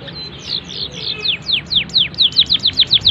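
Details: Canary song with good phrasing, meant as master tutoring for young birds: high sweeping slurred notes that speed up into a rapid, loud, regular series of sharp descending chips.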